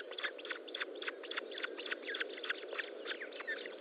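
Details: Osprey at its nest during feeding, 25 June 2012, 10:58; rapid, irregular series of short chirping notes, about three a second, over a steady low hum.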